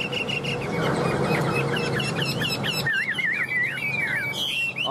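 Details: Tame caged Chinese hwamei with yellow bill and legs, kept over two years in a cage and newly arrived. A muffled, noisy stretch gives way to a run of clear, wavy, warbling whistles near the end.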